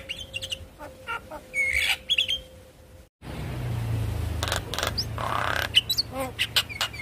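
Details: Javan myna singing, recorded as a lure to get silent mynas singing again: harsh buzzy bursts and short whistled notes, a brief cut of silence midway, then dense scratchy chattering phrases over a low steady hum.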